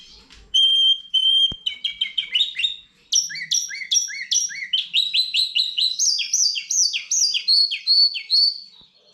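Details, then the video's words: Goldfinch x canary hybrid singing a lively, varied song: a steady high whistled note repeated at the start, then quick chirps and rapid downslurred trills in a fast, jumbled run that climbs higher toward the end. No other sounds are heard. "καρδερινοκαναρα (Goldfinch x canary)"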